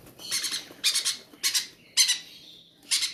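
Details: Hungry parrots kept in an aviary squawk at feeding time: five rough, buzzy bursts come quickly, each short and harsh, with a faint trailing whine after the fourth.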